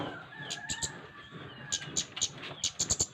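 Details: Flowerpecker calling actively, a recording meant to prompt other birds to sing: sharp, very high ticking notes in irregular bursts and quick runs, over faint tonal calls and background hiss.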